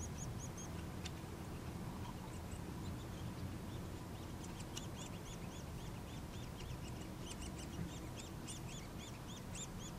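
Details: Nuttall's woodpecker chicks being fed, giving thin, high, rapidly repeated begging notes in short bursts throughout, against a steady low rumble of background noise.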